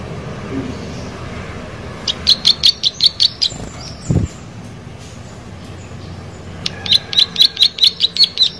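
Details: Plain prinia singing energetically in two bursts of rapid, buzzy high notes, about two and a half per second, separated by a pause with a dull thump and a low background hum.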